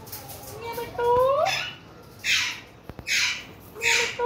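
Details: Pet ringneck parrot (rose-ringed parakeet): a smooth whistled tone that dips and rises, then four harsh, broadband screeching squawks in quick succession over about three seconds.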